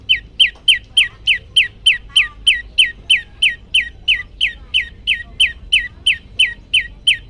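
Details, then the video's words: Prenjak lumut prinia, also called ciang ciang, delivers its loud 'tembakan' training variation: a long, steady series of sharp, high, downslurred chirps, about three per second, with no break. "prenjak lumut gacor suara tembakan keras"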